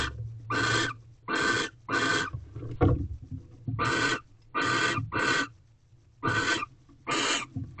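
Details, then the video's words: Barn owls in a nest box in Corral at night, 10:28 pm on 19 February 2023, mating for the third night running after the male brought a rodent: harsh, broadband hissing screeches in bursts of about half a second, with low rumbling background. "Barn Owls Mating again for the 3rd night in a Row."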